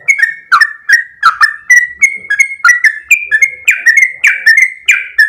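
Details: Energetic 'gacor' sooty-headed bulbul in a long 'ropel' song: a steady stream of short fluty whistles, roughly two per second. Each note opens with a sharp attack and bends slightly up or down.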